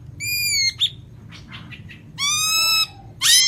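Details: Lampung white-rumped shama giving long, steady, rich whistled notes separated by softer, blurred sounds, ending in a harsh high burst.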